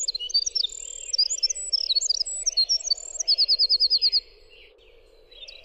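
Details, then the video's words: Winter wren song, a clear recording meant as a tutor track for songbirds: rapid high tinkling notes and twitters tumbling together, then an even buzzy trill of about ten fast notes before a pause, over a steady low hum. "suara winter wren"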